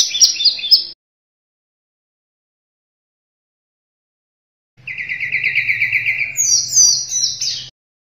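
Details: Sunda robin, gacor song for tutoring caged birds. A brief high phrase, then after silence a steady rapid chattering trill, shifting into sharp high whistled notes, over a faint low hum.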